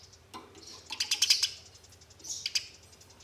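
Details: Sparrows fighting: thin, high chirps building into a quick scratchy flurry of clicking notes, a pause, then a shorter burst of shrill chirping, with a soft background hum.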